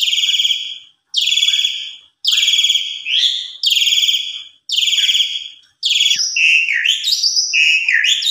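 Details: Javan pied starling lure recording to trigger other birds' singing: a series of harsh, rasping screeches about once a second, then a tumbling run of varied whistled and chattering notes.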